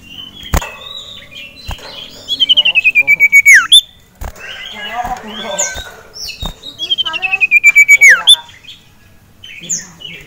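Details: Male sirtu in a cage, roused by a rival male and a female, gives two rapid stuttering trills that slide steadily downward and end in a sharp drop, amid scattered chirps and clicks.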